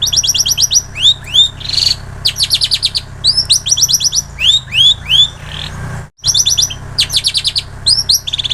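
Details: Long-tailed shrike carrying canary and bar-winged prinia phrases, used to tutor songbirds: bright high trills, upward-swept whistles and buzzy bursts in varied sequence, a short silent gap midway, low hum throughout.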